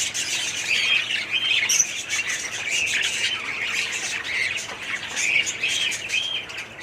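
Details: Aviary colony of budgerigars recorded in 2017: busy overlapping chirps and harsh squawks from numerous birds, a shrill warbling babble that never stops, with one sharper high note near two seconds.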